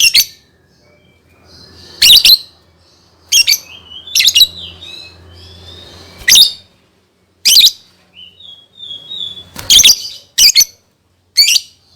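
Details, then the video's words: Lovebird singing as a lure for young birds: loud harsh chirps every second or two, interspersed with thin gliding whistles and soft chatter, with a faint low hum in the background. "SUARA BURUNG Love Bird COCOK BUAT PANCINGAN PAUD"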